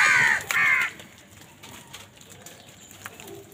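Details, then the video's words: Crows fighting for food: two loud, raspy caws in quick succession right at the start, then only quiet background noise and faint distant sounds for the remaining few seconds. "কাকের ডাক Crow Sound Crow ki Awaz Loudly | Crow bird Fight for Food"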